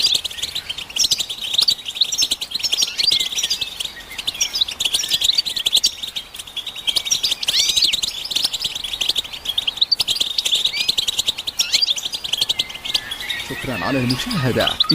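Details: Collective chirping of European goldfinches meant to stimulate males to sing: a constant dense wash of high twittering and trills for the full length, with a descending whooshing noise near the end.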